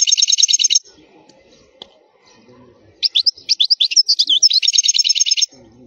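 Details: European goldfinch singing a wild song used to teach young birds: bright, liquid twittering phrases with fast buzzy trills, one short burst then a longer run after a pause, over a faint low murmur.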